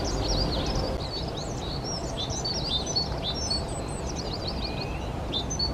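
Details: Dunnock singing a fast, continuous warble of high, thin, squeaky notes that run on for several seconds, with constant low background rumble throughout.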